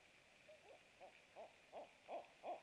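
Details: Barred owl at a nest camera at night, 23:49 on 27 March 2017, during a food delivery; six rhythmic hoots growing steadily louder, each note short and slightly downslurred, spaced about a third of a second apart.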